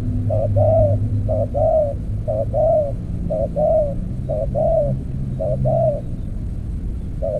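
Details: Spotted dove calling during decoy trapping with an earthen trap cage: mellow, low cooing phrases, each a short note and then a longer wavering coo, repeated about once a second, over a steady low hum.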